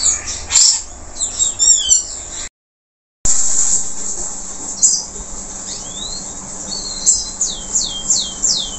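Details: Local canary after moulting, singing actively: high trills and rapid downward-sweeping whistled notes in quick series, with a brief gap of silence, over a steady background hiss.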